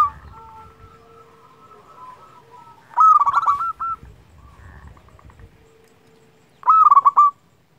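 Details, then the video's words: Local zebra dove, used to rouse doves into song: two loud rolled coo phrases about four seconds apart over a quieter background of steady tones. "Perkutut lokal gacor - Paling Ampuh Untuk Merangsang Bunyi"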